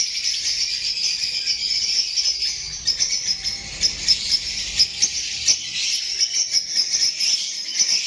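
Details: Lovebirds calling as a flock, a continuous high-pitched twittering chorus punctuated by sharp, bright chirps that repeat irregularly about every half second.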